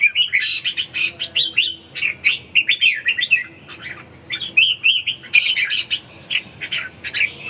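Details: Red-whiskered bulbuls in round 4 of a singing contest at Ha Dong, Vietnam, pouring out continuous lively whistled phrases mixed with rapid harsh chips, several singers overlapping with barely a pause.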